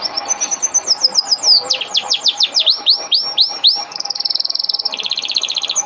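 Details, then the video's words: Canary song played as training material (masteran kenari) for canaries: rapid high trill, then a series of loud swooping downslurred whistles, followed by fast buzzy rolls and a steady chattering trill. "Masteran kenari burung | Canary training song"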